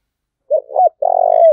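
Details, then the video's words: Single cooing phrase of a spotted dove, used to incite a fight: two quick soft notes, then a sustained throaty croon ending in a downward slur. Quiet surroundings. "Tiếng chim cu gáy thúc đấu"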